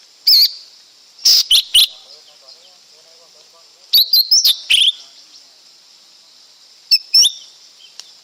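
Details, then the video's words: Lesser green leafbird song in spaced bursts of sharp, piercing chirps and buzzy whistled notes, each burst a few rapid notes followed by a pause, with faint low chatter and steady insect hiss beneath. "เสียงนกเขียวก้านตองเล็ก Lesser Green Leafbird Sound"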